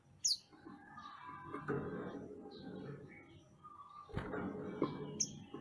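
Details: A chatty mantenan gunung songbird, used as a master song for training songbirds, gives sharp, high chirps at the start and end, with scattered softer mid-pitched notes in between, over a busy background murmur.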